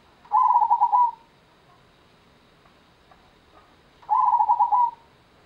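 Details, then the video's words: Gendowo Sabdo song of a local zebra dove (perkutut): two clear, quickly pulsed cooing phrases, each under a second, almost four seconds apart, with faint ticks between. "IRAMA PERKUTUT GENDOWO SABDO (ORIGINAL LOKAL ALAM)"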